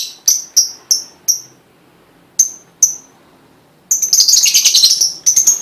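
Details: Lovebird prompting song for stirring other lovebirds to sing: a series of sharp, high clipped chips at regular intervals, a pause, then a dense, shrill, rapid chattering trill.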